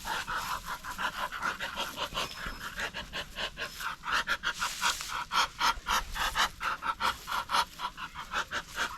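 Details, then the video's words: Muscovy duck: breathy, rasping hiss-like huffs repeated roughly twice a second in a steady rhythm, growing louder toward the end. "Terrible sound of Muscovy Duck"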